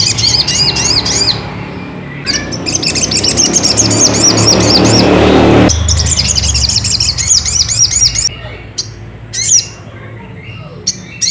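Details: Ruby-cheeked sunbird song played as a lure to provoke another bird into singing: rapid high twittering phrases of repeated thin chirps in bursts, broken mid-way by a stretch of loud broadband rushing noise, then more short chirp series.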